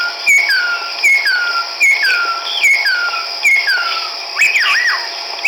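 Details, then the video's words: Chestnut-backed laughingthrush, a resident breeder, recorded 17 March 2010 in Hukaung Valley Wildlife Sanctuary, Kachin State, Myanmar, gives clear, slurred, falling whistles about every 0.8 seconds, ending in a louder warbled phrase over a steady high insect hum. "Chestnut-backed Laughingthrush ၏ သာယာသောအသံ"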